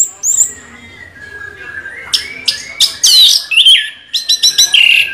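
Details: Orange-headed thrush singing a rolling song; a faint thin whistle first, then loud clipped notes, a descending slurred whistle and a quick series of sharp repeated chirps toward the end.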